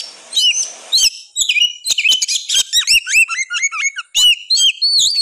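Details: Oriental magpie-robin singing vigorously in agitated 'gacor ngotot' style to excite reluctant birds: bright whistled notes with sudden upward and downward slurs, interspersed with crisp clicks, phrases following one another with barely a pause.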